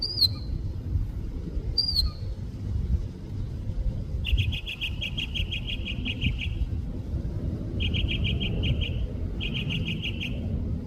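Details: Mockingbird singing in San Diego: two sharp down-slurred whistles, then three bursts of rapid, evenly repeated chattering notes, each run lasting one to two seconds, over a steady low rumble of traffic.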